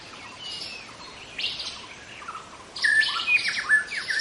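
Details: Young wild White-rumped Shama giving soft scattered notes, then a loud closing phrase of bright, level whistles and quick slurred chips.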